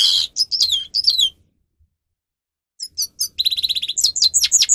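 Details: Singing grey-crowned goldfinch for training captive birds: sweet slurred whistles and chirps, a pause, then a dense buzzy trill with rapid high notes stacked on top.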